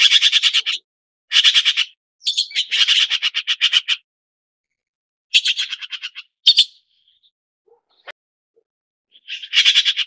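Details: A red-billed blue magpie (Chinese blue magpie, Urocissa erythroryncha) gives harsh, rapid rattling chatters in bursts of about a second, with a few sharp squeaky notes between; no other sounds.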